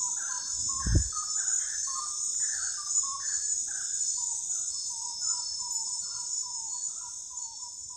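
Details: Common gallinule clucking in quick uneven series, notes tumbling lower and faster toward the end; a single dull thump near the start and a persistent shrill insect background.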